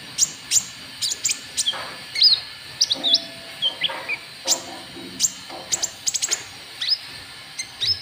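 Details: White-cheeked bulbul of the trotol type, used as a lure to draw rival birds: a busy series of sharp, high chirps and short whistled slurs, irregularly spaced, some in quick doublets, over a faint hiss.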